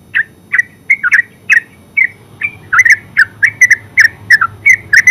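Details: Yellow-vented bulbul, or terucuk, in ngeropel song: well-spaced chirps at first that speed up into a dense, bubbly run of short slurred notes in the second half.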